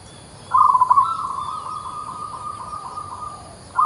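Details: Actively singing local zebra dove delivering one long phrase: a fast choppy stutter that settles into an extended level rolling coo lasting about three seconds, with the next phrase starting at the end.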